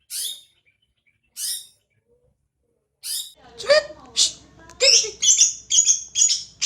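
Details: Greater green leafbird song used as a lure to prompt another bird to sing: a few isolated high chirps, then a fast run of sharp, varied notes and warbled phrases.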